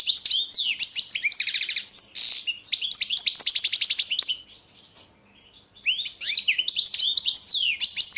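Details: European goldfinch of the Balkan subspecies Carduelis carduelis balcanica, recorded for the 2022 World Championship in Goldfinch Song: rapid high twittering with buzzy trills and rattling runs, a short pause near the fifth second, then twittering again.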